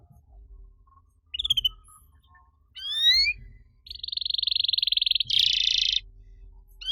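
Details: Master song from a canary, meant to spur silent canaries into singing. Scattered rising whistles give way to a steady rattling trill and then a dense buzzy roll, over a faint low hum.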